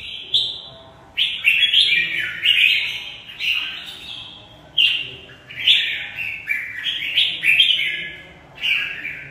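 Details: Caged Mộc bộ red-whiskered bulbul giving fighting song, about ten loud warbled phrases over nine seconds, each starting sharply and sliding down, with short pauses between them, clear and uncluttered.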